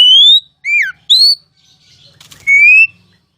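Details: Oriental magpie-robin masteran song in the loud ngeplong style: a few clear, drawn-out whistles, one rising, one falling sharply, one swelling, separated by short gaps with faint fluttering and rustling between them.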